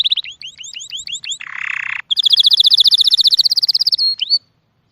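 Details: Songbird repeating quick upward-hooked whistles, then a harsh buzzy rasp, then a long rapid high trill and a final rising slur, all loud and close.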